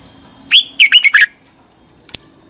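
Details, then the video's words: Song-training recording of a red-whiskered bulbul in 'căng lửa' style: a single cheerful phrase of a sweeping whistle and four quick twisting notes, then a faint click, under a steady high whine. "luyện giọng cho chào mào hót hay - căng lửa"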